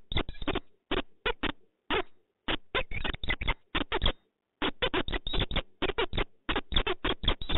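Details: Two peregrine falcons, a pair meeting at Poznań, Poland, 4 January 2023, give rapid harsh grating calls, repeated in uneven clusters several times a second, with a brief pause near the middle; sound is muffled and cut off at the top.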